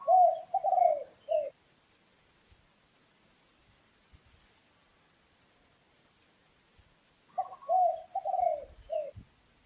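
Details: Dove calling from tree branches in a forest, with light wind in the leaves: two soft, low, rolling coo phrases of three or four notes each, about six seconds apart, with a faint thin high hiss.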